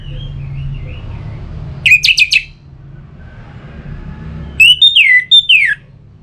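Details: Song of an orange-headed thrush for prompting singing; a brief cluster of sharp notes followed by a longer whistled phrase with falling slurs, over a soft continuous hum.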